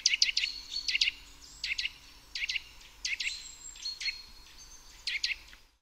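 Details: A Eurasian nuthatch (Sitta europaea) sings sharp, high, clipped notes in tight bursts about once a second, with a faint thin whistle running behind them.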